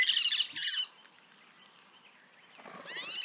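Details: Icterine Warbler song recorded in Germany: two bursts of high, scratchy, buzzy and nasal notes that sound oddly artificial, like an electronic game, with a pause of almost two seconds between. Each phrase is unique, over faint background hiss and tree noise.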